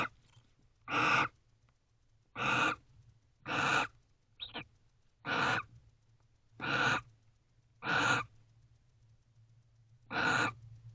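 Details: Barn owl pair in a nest box, wild birds recorded in the small hours of 29 November 2023 while together and kissing. Eight raspy hissing screeches, each under half a second, repeat about every 1.2 seconds, with one shorter faint call between them.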